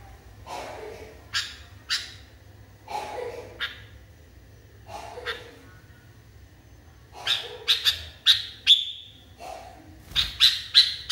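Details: A highly agitated sooty-headed bulbul gives short, harsh chattering bursts about every second, then bright clipped whistles in quick runs toward the end.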